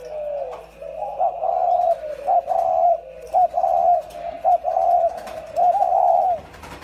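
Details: Clear, separate cooing phrases from two caged decoy spotted doves, soft hooting bursts spaced about a second apart with brief pauses between, over a quiet background hum.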